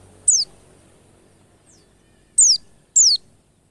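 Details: White-eye lure to encourage singing: one piercing downslurred whistle, a pause of about two seconds, then two more in quick succession, over a quiet background.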